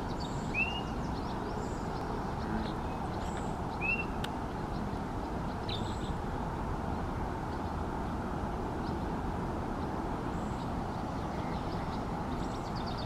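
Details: Swainson's thrush at Nisqually National Wildlife Refuge giving two short, upslurred 'whit' notes about three seconds apart, with faint high ticks, over a steady low rumble of traffic or wind.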